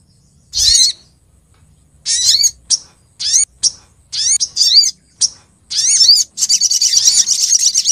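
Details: A female olive-backed sunbird calls the male in this lure recording: separate short, high, squeaky chirps with falling whistled tails, spaced irregularly, ending in a fast continuous run of thin chattering notes.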